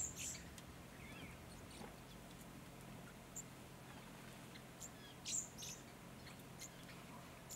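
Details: Little lorikeets (Glossopsitta pusilla) at an artificial pond in the Capertee Valley, NSW, in mid-September 2019, giving brief, shrill, very high zit-like screeches, scattered irregularly with one louder burst, over a steady low hum.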